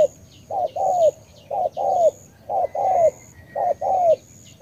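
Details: Spotted dove of Vietnamese stock, Cà Mau, giving its rhythmic coo: brief doubled hoot followed by a drawn-out downward-sliding note, cycling steadily roughly every second, with faint thin bird chirps in the background.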